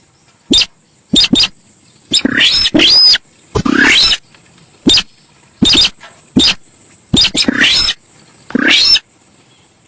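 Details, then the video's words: Javan pied starling, or sintar sawah, very noisy lure recording: brief sharp ticks mixed with longer harsh rasping bursts that sweep upward, one with an arched whistle, over a constant high hiss. "suara cruit cit cuit...burung SINTAR sawah"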